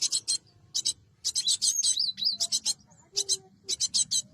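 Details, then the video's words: Cinereous tit for luring birds into traps, uttering clusters of sharp buzzy notes broken by a wavering whistled phrase in the middle, then more clipped rasping pairs and triplets. "Suara Burung gelatik batu"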